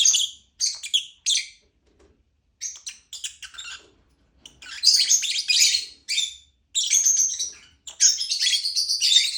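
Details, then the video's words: Lovebird chirping in bursts of harsh, high buzzy notes, grouped into short clusters with brief silences between, growing into longer dense chattering runs in the second half. "Lovebird chirping sound"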